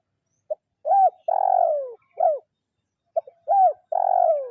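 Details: Spotted dove decoy bird of the kuk 0-1 style calling a rival: two repeated coo phrases, each a soft short note, an arched coo, then a long drawn-out coo sliding downward.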